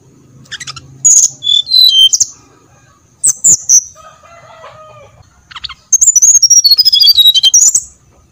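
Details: Brown-chested jungle flycatcher song played as a lure: short bursts of high falling whistles, a faint lower crowing-like phrase in the middle, then a long cascading run of rapid whistled notes.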